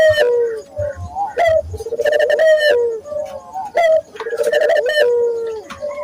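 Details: Lure for training local doves: a Barbary dove gives a falling coo, then bursts of rapid rolling pulses flowing into sustained, slightly descending coos, repeated twice more.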